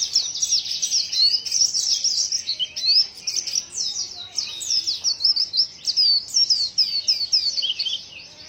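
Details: Unusual white-eye vocalisation: bursts of rapid, high twittering broken by small pauses, sharp slurred whistle notes scattered through, phrases repeating in a lively, chattering rhythm.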